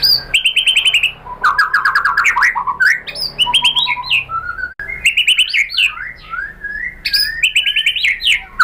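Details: Lure recording of white-rumped shama song meant to provoke other shamas to answer: dense, varied phrases of high chips, descending whistled runs and quick warbles, bursts separated by short gaps.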